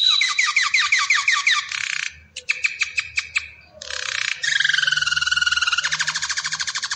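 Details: Belgian canary song made of rapid rattling trills, a short series of clipped repeated notes, a brief pause, then a long rolling trill of fast pulses that gradually fades.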